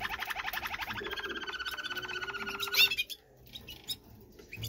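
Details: Malinois canary in mating song: a fast, even rolling trill lasting nearly three seconds ends in a brighter flourish. Only faint scattered notes and a steady hiss follow.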